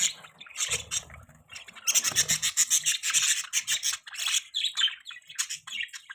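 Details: Budgerigars giving chirping mating sounds: harsh, raspy chatter and grating warbles in dense bursts, with a few clearer squeaks and low rustles between phrases.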